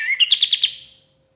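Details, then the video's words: Brief White-shouldered triller phrase for training songbirds: about five bright notes, each a little higher than the last, then fading. "KAPAS TEMBAK GACOR SUARA PAS BUAT MASTERAN BURUNG JUARA"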